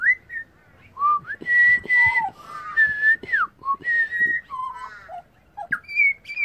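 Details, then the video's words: Australian pied butcherbird, a wild singer, delivers a varied run of loud whistled notes: sustained level tones, sharp downward slurs and short low phrases, quickly alternating with brief gaps and faint background clicks. "Australian pied butcherbirds Excellent singer!"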